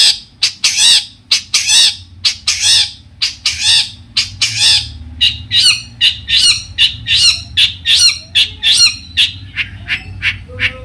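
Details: Long-tailed shrike singing to rouse other shrikes: a steady stream of loud, harsh, buzzy squawks, closely spaced and uneven, with a few thin whistles near the end.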